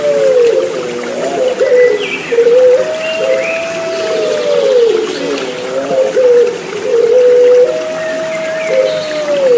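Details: Continuous low cooing from Puter Pelung turtle doves, notes stretched and sliding down at their ends, over a gentle water trickle, a therapy mix for caged birds with stalled song.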